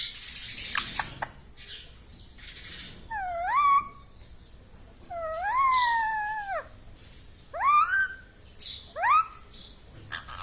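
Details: Pet parrot talking at home, said to say words such as mummy, papa and radhe radhe; four voice-like, harmonic syllables with bent and rising pitch, spaced a second or two apart, over quiet indoor background.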